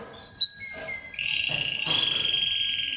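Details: Canary singing around mating with its female: short high whistles and a rising slur, then a loud, buzzy, steady trill lasting about a second.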